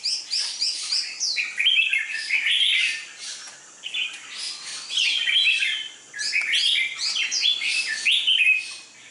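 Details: Red-whiskered bulbul, a contest bird with a dark bib and an aggressive fighting style. It sings repeated bursts of rapid, bubbly, chirping whistles, several linked phrases separated by short pauses, bright and high-pitched.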